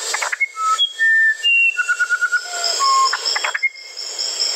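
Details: Clear musical whistling from a musician wren: distinct pure notes high and low, a beaded trill and a falling tone, followed by chattery clicks and another whistle, over high background hiss.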